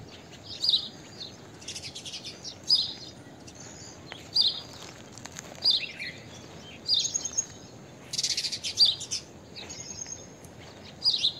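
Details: Blue-tailed bee-eater (Merops philippinus) calling repeatedly: high, rolling trilled chirps every second or two, with a few brief noisy bursts, possibly wingbeats, and background hiss.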